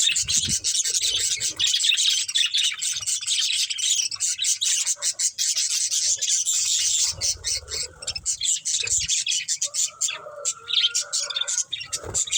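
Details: A group of budgerigars eating green food keeps up an unbroken, fast, high twittering chatter of scratchy and clicking notes, with a faint longer whistled tone near the end.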